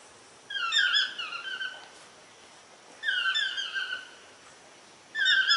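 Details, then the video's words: Toucan calling: loud, croaking yelps with stacked harmonics that slide downward, given in bursts of several notes about every two to three seconds, with quiet pauses between bursts. "cri du toucan / song of the toucan"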